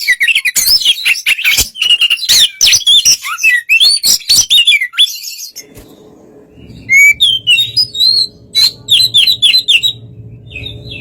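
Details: Oriental magpie-robin in relaxed song aimed at goading another bird to answer: a rapid run of chattering whistles and chips, a short lull, then clear slurred whistles in a looser rhythm over a low hum.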